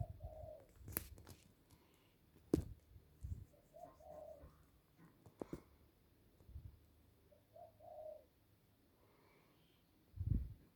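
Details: Ducks giving a strange call: short, low, purring warbles repeated three times several seconds apart, mixed with sharp knocks and thumps from handling or movement.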